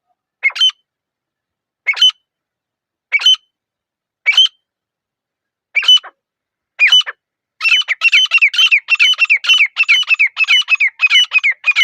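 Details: Grey francolin calling: harsh, high squawky notes at first spaced about every 1.2 seconds, then speeding into a rapid, almost continuous run of repeated calls, with no other sounds around them.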